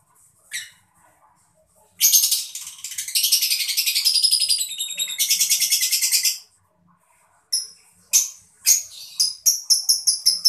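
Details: Lovebird of the mocca colour variety, chirping to stimulate other birds to sing; long dense bursts of high shrill rapid chattering trills, then a pause and a run of sharp repeated chirps.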